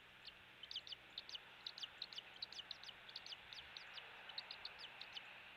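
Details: Eagle at a rebuilt nest on Captiva Island, west coast of Florida, filmed by nest camera at 07:45 on 16 January 2023, days after a chick hatched; rapid series of high, thin, squeaky chips, clustered and repeated steadily throughout.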